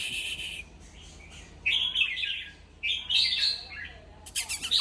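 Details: Red-whiskered bulbul song meant to stir up other bulbuls, with lively chirping phrases rising and falling in quick, uneven bursts and a harsh, noisy note at the end.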